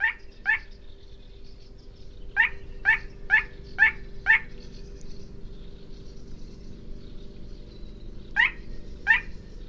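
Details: Little crake calling at night in a wetland in southern UK, late spring or summer: short, yelping 'kwek' notes, a pair, then a run of five about every half-second, then two more, over a low background hum.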